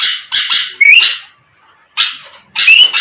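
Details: Sooty-headed bulbul song used as a lure to draw a quick reply from rivals: rasping chattered phrases with short rising whistles, then a pause of almost a second before the harsh bursts return.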